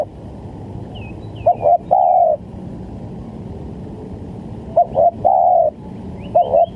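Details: Spotted dove coos used to lure birds for trapping: two phrases of short coos ending in a longer drawn coo, with faint high chirps from other birds and a low steady hum.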